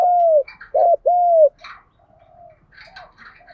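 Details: Spotted dove call meant to lure and stimulate other doves: a long steady hoot, then a short note and another long hoot, trailing into quiet distant coos and soft chirps.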